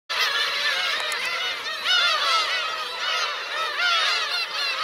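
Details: Black-tailed gulls, adults with chicks, at Kurosaki coast on Teuri Island, Hokkaido, Japan, 17 June 2021: a dense chorus of overlapping mewing, arched cat-like calls from many birds, steady throughout.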